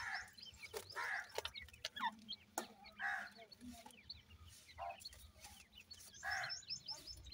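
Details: Francolin chicks peep busily in thin, high, upslurred notes, many overlapping, while louder harsh clucks and some clicks break in every second or so.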